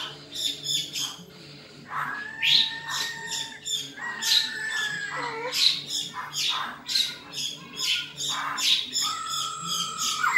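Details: Black-throated laughingthrush in fighting song: flat, sustained whistles alternate with rapid clicking, rattling bursts, repeated in rhythmic spurts every second or so; a low steady hum sits beneath.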